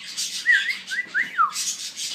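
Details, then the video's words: Indian ringneck parakeet, a talking pet bird, gives short whistled phrases indoors: a few clear sliding notes that rise and fall, the last one dropping steeply, set against a breathy hiss. "Indian Parrot Talking"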